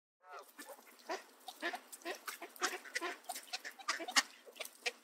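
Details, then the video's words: Two Canada geese in a Southern Ontario park bullying mallards, grabbing their feathers to push them away from scattered bird seed, giving harsh, nasal honks in quick overlapping bursts several times a second, mixed with rougher duck quacking. "Canada Geese Being Mean To The Ducks - Bird Sounds and Calls"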